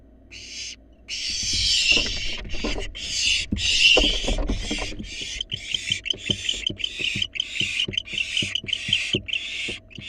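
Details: Wild barn owl fledgling in a monitored nest box, begging as a rat is delivered: rapid harsh rasping hisses, about fifteen in ten seconds, with knocking and scratching thumps of movement beneath.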